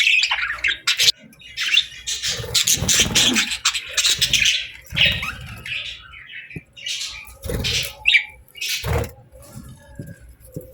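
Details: Parakeets chirping, kept as pet budgies: continuous, dense chatter of squeaks, scratchy notes and short whistles, with scattered low clicks throughout.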